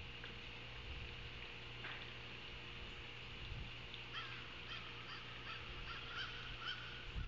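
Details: Osprey calling at its nest in Savannah on an August 2023 afternoon, filmed by a live camera. Quiet at first, then from midway a fast run of sharp, piping chirps over constant hiss and low hum.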